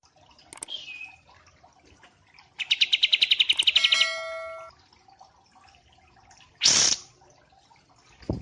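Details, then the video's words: Wambi mini and kapas tembak white-eye mastering audio with one rapid high trill of repeated notes in the middle, a few soft chirps, and a loud rushing noise burst later. "Masteran Wambi Mini vs Kapas Tembak"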